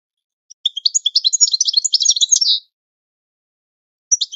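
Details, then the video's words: European goldfinch training song for teaching birds to sing: one dense burst of rapid, high, liquid twittering lasting about two seconds, followed by the start of another phrase after a pause; no other sounds. "Goldfinch The Best Singing - training song"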